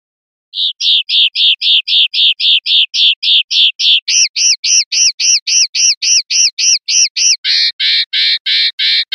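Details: Common linnet, clean 'pardillo limpio' song style, 2021/2022. A long, even series of buzzy, rasping notes about four per second, in three sections that each shift slightly higher or harsher in tone.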